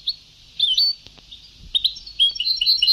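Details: European goldfinch, old Sebtaoui-style song tape: short twitters build into a rapid, tinkling, high chatter of varied notes. Background hiss is present throughout.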